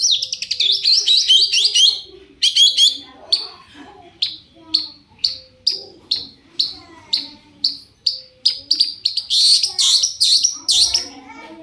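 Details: Lure song of a long-tailed shrike meant to draw replies from other shrikes. A dense high twitter, then sharp clipped notes at about two a second, then a busy burst of chatter to close.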